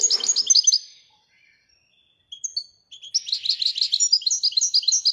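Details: European goldfinch, named a royal goldfinch, opening with a quick chirpy twitter, pausing with a few isolated thin notes, then launching into a long, lively run of rapid tinkling, buzzy phrases.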